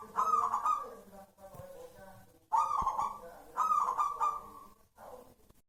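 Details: Zebra dove of local wild stock giving repeated rippling coo phrases, each starting with a quick stuttered burst and trailing off, with faint low thumps between.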